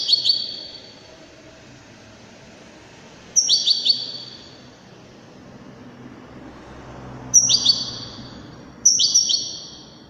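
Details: European goldfinch, called Widani, singing elegantly in short, high, sparkling twitter bursts spaced a few seconds apart, with a steady background rumble like distant traffic running throughout.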